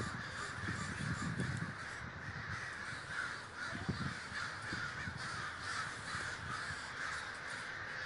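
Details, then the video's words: Crows massed in Davis, California, filling the air with overlapping caws in an unbroken clamor; scattered low thuds and rumble sit beneath the chorus. "The Great Gathering of Crows"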